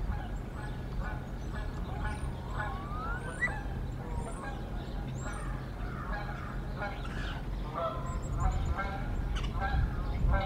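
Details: Bald eagles at a Decorah nest early in the morning, the female facing off beak to beak with a male and asserting dominance; harsh, harmonic-rich chattering notes come in loose repeated bursts over steady low background rumble and faint high bird chirps.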